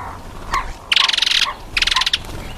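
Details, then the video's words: African green pigeon giving two rapid runs of dry, crackling, ratchet-like clicks, interspersed with short mid-pitched whistled notes. "African Green Pigeon"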